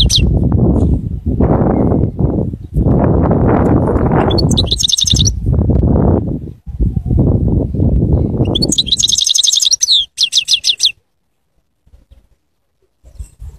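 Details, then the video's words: Goldfinch song in two bursts: a short high twittering phrase, then a longer run of rapid chattering trills, both set against loud low rumbling that drops away to near silence at the end. "Bestest Goldfinch singing"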